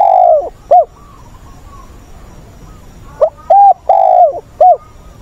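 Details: Trained decoy spotted dove, 20 August, ending one cooing phrase and after a pause repeating a full four-note phrase of soft, hollow coos, the longest note drooping at its tail, background otherwise quiet.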